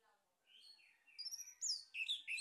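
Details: Male orange-headed thrush singing as a lure to stimulate other birds to sing: faint low notes, then a rising run of bright whistled and squeaky phrases growing louder, with sharp high slurred notes near the end.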